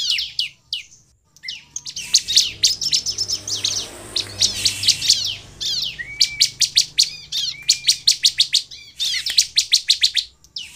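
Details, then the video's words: Lively Bar-winged prinia song meant to lure other prinias into answering: sharp high chips that build into fast, evenly repeated rattling trills, broken by short silences, with a faint low hum behind. "SUARA CIBLEK GACOR INI AMPUH MEMANCING CIBLEK LAIN LANGSUNG BUNYI DAN GACOR"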